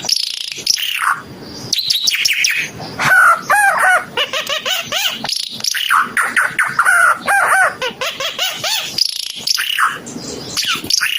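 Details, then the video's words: Timor red-eyed bird, known locally as burung ara Timor mata merah, singing a lively, varied song of rapid chirps, slurred whistles and rising-falling notes in dense bursts with brief pauses, filling the clip. "Kicau Burung Ara UNIK Mata Merah Suara Gacor"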